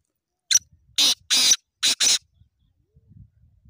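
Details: A pet black francolin that roams free yet stays loyal to its owner gives a harsh, grating phrase of five rasping notes, the middle ones longer, all in under two seconds. Otherwise quiet.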